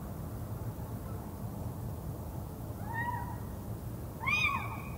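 Little owl giving two mewing, cat-like calls, the second louder with a rising then falling arch, over a steady low rumble.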